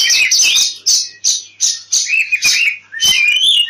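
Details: Fighting oriental magpie-robin song meant to lure other birds into song: loud bursts of high, sweet whistles alternating with slurred, rising notes, delivered in short phrases about every half second with brief gaps.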